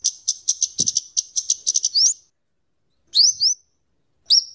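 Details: Scarlet-headed flowerpecker (kemade) song for luring and tutoring cagebirds: about two seconds of dense, rapid high chattering ticks rising into a slurred whistle, followed after a pause by paired upslurred notes and another slur.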